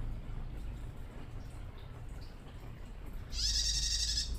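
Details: After a few seconds of low rumbling noise, a young female bar-winged prinia still learning to sing gives a single high, buzzy, fast trill about one second long, calling to males.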